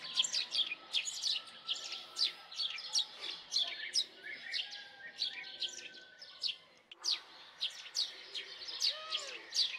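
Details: Rapid, busy house sparrow chirping: many short, bright notes close together, loud and continuous, with a brief lull near the middle and a soft lower whistle near the end.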